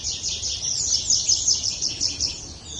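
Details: Birds chirping as focus sounds: a dense, continuous high twittering of short overlapping notes, busy and shimmering, with light background hiss.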